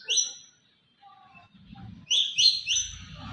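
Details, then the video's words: White-rumped shama, a contest champion, giving a burst of loud, buzzy, downward-slurred high notes, then soft low whistles, then a fast run of three rasping phrases, with faint low background noise. "murai batu juara"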